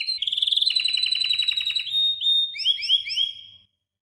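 A goldfinch–canary hybrid sings a bright, fast run of high twittering notes and rolling trills.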